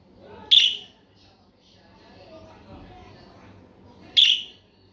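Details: Budgerigar producing two piercing, high chirps about three and a half seconds apart. A faint, low murmur fills the gap between them.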